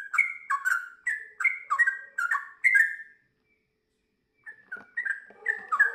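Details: Sooty-headed bulbul song in bursts: a run of quick stepped whistles, a pause of over a second, then more phrases resuming with a slightly lower rough note.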